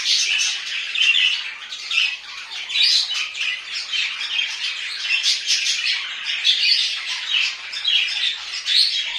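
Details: Home-kept budgies warble loudly and nonstop, a high, scratchy jumble of chirps, whistles and raspy squawks with frequent sharp accents.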